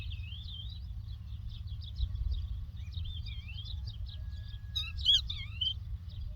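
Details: Lark singing in the Doukkala countryside: a continuous, rapid, twittering warble of high chirps and slurred notes, brightening into louder sharp phrases near the end, over a steady low rumbling noise throughout.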